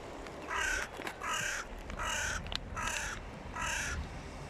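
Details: Hooded crows make a racket while squabbling over prey on the ground, giving five harsh, raspy caws in a steady series about every three-quarters of a second, with a low background hum.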